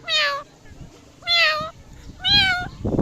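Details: Indian ringneck parrot giving three loud, nasal, richly harmonic squawks, each under half a second, spaced about a second apart, over a low rumbling background.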